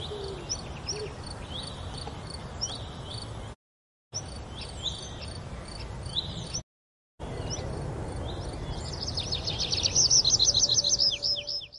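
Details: Grey wagtail at Oukaimeden near Marrakech, Morocco: sharp, high, short calls repeated in quick series, ending in a dense rapid burst of thin notes, over a steady low rumble with brief silent breaks.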